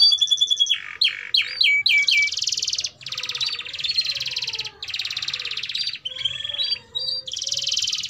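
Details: Canary song as a lure for young canaries learning to sing: a few sharp whistles and chips, then several long buzzy trills separated by brief pauses.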